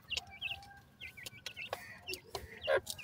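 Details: Francolin chicks give sparse high peeping notes in small clusters, with a faint steady tone and a few knocks in the background.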